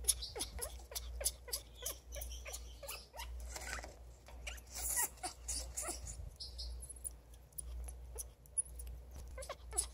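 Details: Happy pet African grey parrot, a female seeking affection, making quick repeated clicky squeaks that tumble in uneven bursts over a steady low room hum.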